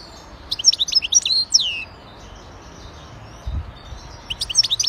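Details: Wild-caught European goldfinch from Jijel, Algeria, kept two days in a cage, sings a bright burst of high twittering, rapidly slurred notes for about a second, then a pause and a second short twittering phrase near the end.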